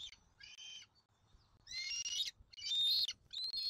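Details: Bald eagle nest in Southwest Florida while an eaglet is fed dinner on 13 January 2024. A few high, squealing harmonic notes come in bursts, the later ones louder and longer, separated by short pauses.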